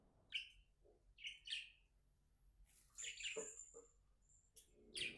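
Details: Happy budgie giving sparse, short squeaky chirps and a few sharp whistled notes with pauses, quieter and more distant against faint background noise.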